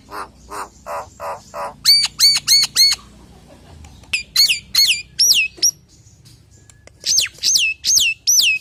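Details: Nias hill myna lure song for other hill mynas: five hoarse croaks, then a fast series of ringing downslurred whistles, a short pause, and further loud whistled notes repeated about three per second.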